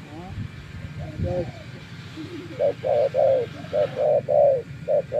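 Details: Spotted dove used as a decoy after days in the open countryside; a faint voice opens, then a run of round, hollow coos, mixing clipped notes and longer ones, fills the end.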